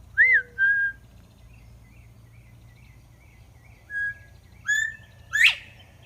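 A northern bobwhite gives clear whistles: a pair of notes, a pause, then a three-note 'bob-bob-WHITE' ending in a sharply rising upslurred whistle.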